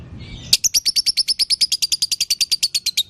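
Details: Lovebird chirping played to get a kept lovebird singing again: after a soft start, a sudden unbroken series of very fast, piercing high chips, about seven per second and evenly paced.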